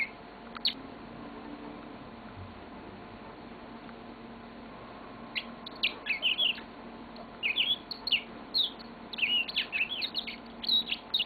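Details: Yellow-fronted canary, a pet bird, singing a long song: after quiet opening seconds, bursts of high twittering, trilled and sweeping notes come in rapid clusters from the middle onward, over a steady low room hum.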